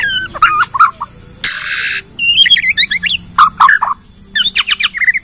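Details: A Bornean white-rumped shama sings its full repertoire as a lure that sets other shamas singing. Scattered sharp notes, a short burst of hissing noise, then twisting high whistled phrases and quick downslurred notes.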